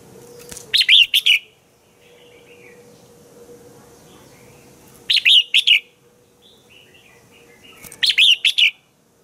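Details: Red-whiskered bulbul in morning song, played to train other bulbuls: three phrases of loud, bright, warbled whistles spaced about four seconds apart, with faint softer chirps in between and a low steady hum.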